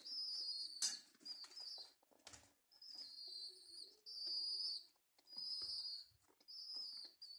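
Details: Orphaned homing pigeon chicks from a restored mosque minaret, hand-fed indoors, beg with repeated high whining squeals about a second long, broken by short gaps, with rustling and wing-flutter noises early on.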